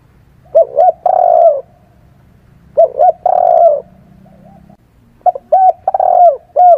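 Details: Spotted dove cooing, used as a lure call: two short hollow notes then a longer drawn-out coo, repeated three times about every two and a half seconds over a faint low hum.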